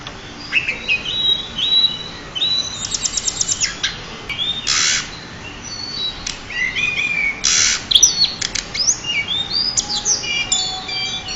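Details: Energetic high song of a champion pied bushchat meant for mastering, mixing slurred whistles and fast trills with two harsh, broad rasping bursts, phrases following one another almost without break.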